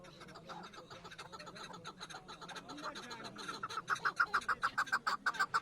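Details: Chukar partridge in the Pamir, recorded during a hunt: harsh, evenly spaced chuk notes build into a fast, loud run of about four per second over the last two seconds, above a softer earlier murmur of calls.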